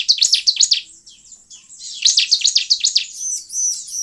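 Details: Bar-winged prinia song used as a lure to draw wild, actively singing birds. High, sharp chirps come in two rapid bursts of about six notes each, followed by thinner arched whistles near the end. No other clear sounds.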